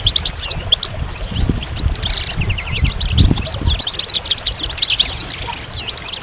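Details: Dense goldfinch song of jangling twitters and fast rattling trills, one short buzzy burst near the start, continuing steadily throughout.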